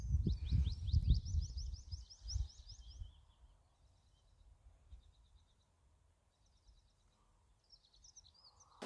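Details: Tree pipit song in a forest beside a river in Norway on a warm afternoon: a fast run of about a dozen thin, high repeated notes over three seconds, then softer trills, with low rumbling handling noise.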